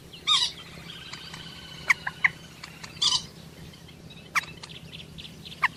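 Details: Calls of a common moorhen: two loud, rasping bursts about three seconds apart, with scattered sharp clicks and brief chirps, and a faint whistled tone in between.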